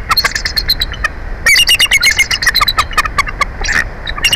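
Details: Bald eagle at a nest in Big Bear Valley, filmed by a live nest camera, as one adult replaces its mate on the nest: a rapid series of high, thin, chittering piping notes, repeated in quick bursts and sometimes overlapping.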